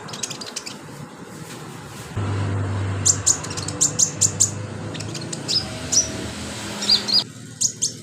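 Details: Vigorously singing sunbird, used as training filler song for other birds: quick series of high, piercing chirps and short whistled notes over a constant humming background.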